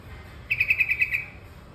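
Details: Yellow-vented bulbul, locally called terucukan kebo: a quick series of seven clear, even chirped notes on one pitch, lasting under a second, over quiet background rumble.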